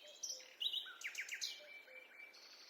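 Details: Birds singing in a forest during a walk: a quiet mix of high whistled phrases, short chirps and sliding notes from more than one bird, all heard at a distance in calm, quiet surroundings.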